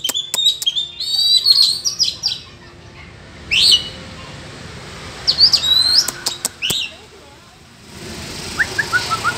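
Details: Oriental magpie-robin (chòe than) singing a duel against rivals in the forest: bright, varied whistled phrases with quick upslurs and trills, in bursts separated by short pauses, with sharp clicking noises between some phrases.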